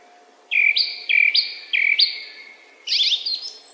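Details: Song thrush delivering one clear two-part whistled phrase three times in a row, then switching to a rapid, twittering high flourish.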